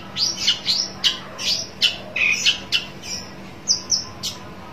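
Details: Long-tailed Shrike calling while seeking a rival: a quick run of about a dozen short, sharp chirps and harsh scratchy notes, irregularly spaced, ending with a few high, thin paired whistles; a faint low hum underneath.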